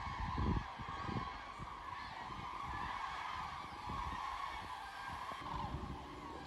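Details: A large flock of common cranes flying south over the Wetterau near Bad Nauheim, Germany, 22 October 2022; steady overlapping trumpeting calls from many birds throughout, over low wind-like rumble.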